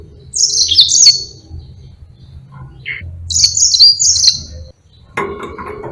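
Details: Yellow-fronted canary song recorded for teaching other birds. Two high twittered phrases about three seconds apart, with a soft single note between and a brief knock near the end.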